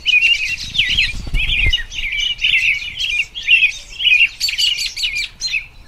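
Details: Spring song of an American robin: a nearly continuous, busy stream of high chirping and warbling phrases, with brief low thumping noise early on.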